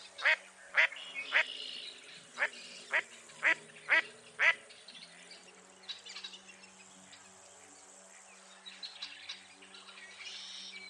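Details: Mottled duck calling: a burst of about eight loud, nasal quacks roughly twice a second, then fainter scattered quacks and low background noise for the rest.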